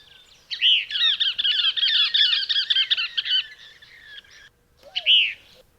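Cassin's Kingbird gives a fast, loud run of husky, buzzy chattering notes for about three seconds that trails off, then one slurred chi-BREER note.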